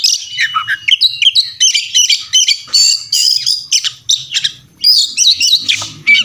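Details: Fighting Oriental magpie-robin, puffed up and insistent, on a tutor recording full of fill-in phrases: quick clusters of bright whistles and rasping notes alternating with brief pauses, ending in a harsh chatter over a low rumble.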